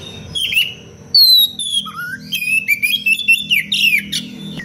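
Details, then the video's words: Oriental magpie-robin in energetic training song for other birds: a loud high whistle falling in pitch, then a rising slurred note and a fast run of varied chirps and whistled slides, about eight quick phrases; low background hum. "Kacer gacor cengkok rapat pedas untuk masteran"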